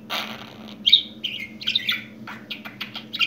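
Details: A newly talking pet budgerigar chattering in quick, high, twittering warbles and scratchy notes, some louder squeaks standing out, with a constant low hum behind.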